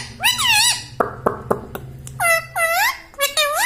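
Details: Pet rose-ringed parakeet that talks, repeating "mummy": bright, harmonic, speech-like syllables with dipping arcs, in groups of two or three, between sharp tapping clicks.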